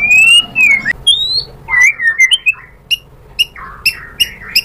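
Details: White-rumped shama lure song for prompting birds to sing: long clear high whistles, then quick slurred notes, ending in short sharp chips spaced about half a second apart.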